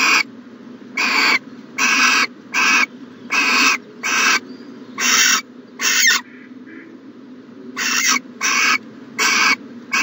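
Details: Owl in a nest box, 14 January 2020, morning: a steady run of raspy hissing bursts, briefly broken by a soft pause with faint squeaks before the series resumes.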